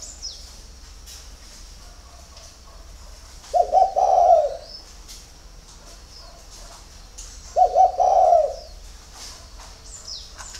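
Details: Two low, soft coo phrases from a spotted dove in the early morning, about four seconds apart, each a quick broken opening and a longer hum, with scattered high chirps from small birds.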